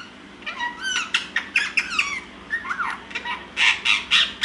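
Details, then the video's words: Pet Rose-ringed (Ringneck) parakeets at nap time, chatting to each other rather than sleeping: soft chatter trading quick rising and falling whistles with harsher squawky notes, several bursts a second against a faint hum. "My Ringneck parrots at nap time"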